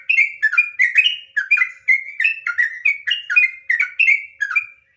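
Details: Sooty-headed bulbul giving a quick run of ringing whistled notes in the trucuk nggaruda ngropel style, about three per second, each sharply attacked and slurred, ending abruptly into silence.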